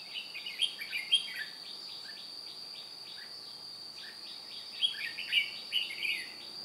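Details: Red-whiskered bulbul decoy trapping wild birds, 2 July 2018, behaving with flicking wings and tail like an older bird: dense run of chirpy whistled notes, bursts bunched at the start and end, with a steady shrill insect tone throughout.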